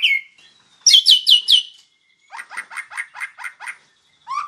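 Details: Master song of a white-rumped shama for tutoring birds: a drawn whistle, a quick burst of bright falling notes, then a steady run of about eight repeated chattering notes, ending with a rising note.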